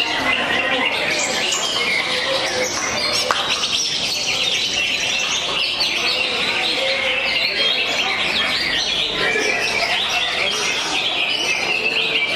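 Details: Jangkrik balap singing by a greater green leafbird: an unbroken stream of high, rapid twitters and cricket-like trilling with scattered sharp whistles. Other birds chatter loudly alongside it the whole time.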